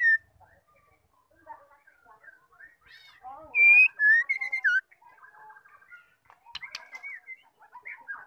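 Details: Female white-rumped shama, locally murai batu betina, calling to provoke males into singing. Soft twittering notes lead into a loud burst of clear whistles, some rising and some sliding down, then quieter chattering notes.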